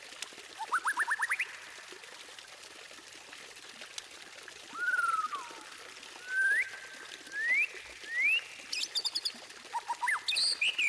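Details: White-rumped shama song used to make other birds sing: varied phrases of rising whistles, a quick ascending trill and short sliding notes, with a steady hiss of running water underneath and high faint chirps.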